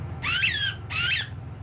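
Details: Northern cardinal being banded at a bird banding station in Occoquan Bay National Wildlife Refuge on May 9, 2018, fussing with two harsh, raspy squawks, each about half a second long, over a faint low hum.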